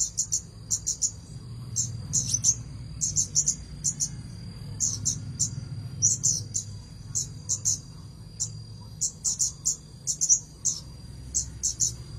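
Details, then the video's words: Red-headed bunting in full, steady song: rapid high, twittering phrases in quick groups separated by short gaps, continuing for the whole stretch over a steady thin high hum and a low background rumble. "kemade kepala merah gacor mantap"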